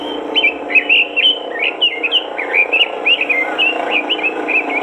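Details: Robin in energetic song as a master recording to prompt other robins to sing: a high whistle, then many quick, slurred warbled notes in steady succession over a loud, broad hum of background noise.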